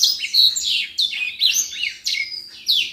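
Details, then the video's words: Common iora song, lively and used for training other birds: a fast run of bright, high whistled phrases, sweeping up and down, some slurred and some sharp, in a continuous flowing stream. "Burung Senger gacor buat masteran"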